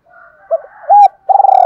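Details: Spotted dove calling to draw a newly caught wild dove into cooing back: a faint murmur, a short coo, a strong clear note, then a rolling trembling coo. A small click is also heard.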